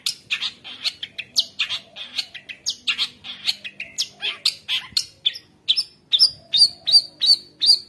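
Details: Long-tailed shrike (cendet) in lively, full-repertoire song used to tutor juvenile shrikes: rapid scratchy chatter and squeaky notes in quick succession, ending in a regular series of high, clear whistled chirps.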